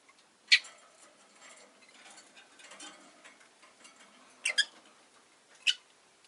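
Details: Caged rosy-faced lovebirds, five in all, beside a window during a lazy afternoon; a few sharp, high chirps come about a second or more apart, one of them doubled, over faint background hiss and street ambience.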